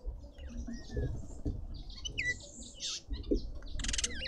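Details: Red-winged starling at a suburban garden feeder in Pretoria, South Africa, mixes drawn-out whistles with a harsh buzzy burst and ends on a rapid wavering whistled phrase, against faint pattering noise.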